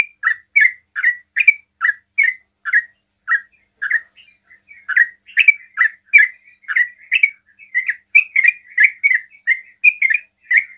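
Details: Sooty-headed bulbul pouring out its rapid 'ropel' song to lure other bulbuls into replying. Loud bubbly notes come about two per second, break briefly near the middle, then resume just as fast.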